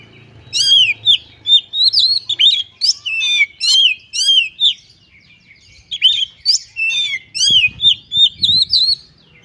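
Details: Oriental magpie-robin (kacer) singing wildly in ngobra style, showing off its varied repertoire: a dense, continuous stream of rapid whistled slurs, sharp chips and trills, with barely a pause over nine seconds, plus brief low knocking near the end.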